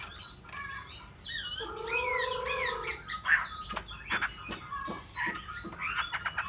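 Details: Hwamei song: a long, harmonically rich whistled note swept upward and down, followed by quick chattering clicks and scattered warbles over a faint hiss.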